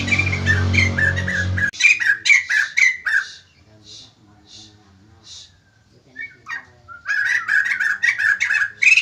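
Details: White-crested laughingthrush in a cage with a loud low hum at first, then harsh chattering phrases, a quiet gap with soft notes, and renewed excited chatter.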